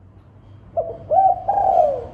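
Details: Spotted dove lure song, a clear master recording of the cooing used to attract birds: a short soft opening coo followed by a rising hooked note and a long, slightly falling purring coo, low and mellow.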